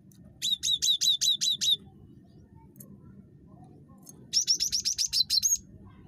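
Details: Cinereous tit (gelatik batu), described as very chattery, used as a lure to set off other birds' calls. Two bursts of about eight fast, sharp, high metallic notes each, separated by a quiet pause, with low hum beneath.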